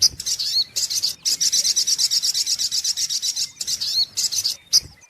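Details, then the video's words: Lure recording of a brown-throated sunbird singing: bursts of fast, high, sharp twittering notes, about four per second, separated by brief gaps, with a faint low hiss underneath. "SUARA PIKAT mp3 BURUNG SOGOK ONTONG PALING TOKCER"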